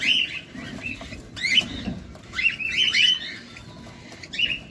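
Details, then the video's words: Cockatiels feeding, recorded close up: irregular chirps and warbles, then a dense, loud cluster of overlapping rising notes and soft rustling. "Cockatiel bird.Feeding close up! II কোকাটেল পাখি II"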